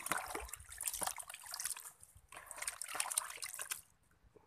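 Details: Trickling, splashing water in bursts, fading to near quiet at the end, with no animal voice heard.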